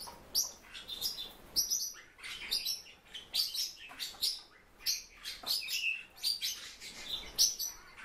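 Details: Captive silver-eared mesia calling steadily with bright, high-pitched chips and twitters, repeated in quick bursts throughout, amid low room noise.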